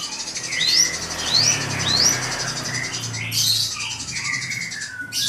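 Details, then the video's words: Drongo singing while provoked by a rival: a series of high, rising whistled upslurs repeated about every half second, then harsher chattering and buzzy notes, with a low hum in the background. "SRIGUNTING PANCING EMOSI LAWAN"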